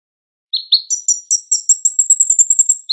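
A sunbird sings a high, thin run of quick sweet notes, two short chirps followed by a rapid, slightly rising trill lasting about two seconds.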